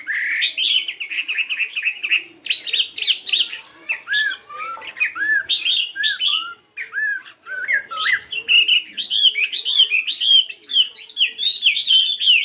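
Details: Caged Chinese hwamei fighting bird of 72 grams, practising its morning song: long stream of rapid whistled phrases, trills and slurred downward notes, changing tone often and repeating motifs.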